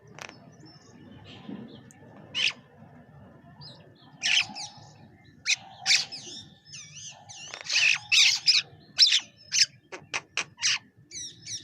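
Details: Bank myna feeding alongside pigeons; scattered harsh, squawking bursts build into a dense run of loud, rasping chatter notes near the end, over a faint low hum.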